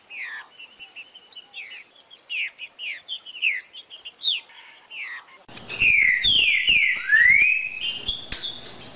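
Green-winged Saltator: quick, thin chirping notes first, then louder, rich whistled phrases that slur down and up. Low thumps and background noise run under the later part.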